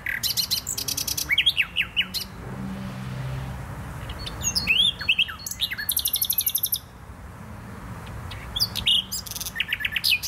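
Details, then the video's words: In Poznań botanical garden, Poland, a nightingale delivers varied phrases: rattling dry trills, steep slurred whistles and buzzy bursts separated by short pauses, with a faint low hum behind. "Wyjątkowy śpiew słowika."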